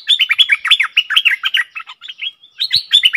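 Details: Decoy bulbul singing toward wild birds: a fast, continuous warbling stream of bubbly, rising and falling chirped notes with hardly a break.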